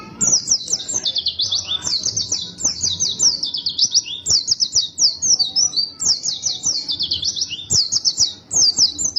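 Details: White-eye in vigorous, insistent song: an unbroken stream of rapid, high-pitched twittering phrases with sharp up-and-down sweeps, delivered without pause.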